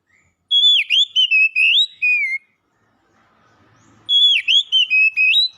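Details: Champion contest magpie-robin singing rich whistled phrases with dipping, rising and gliding notes, a quiet gap, then another strong phrase of bright whistles.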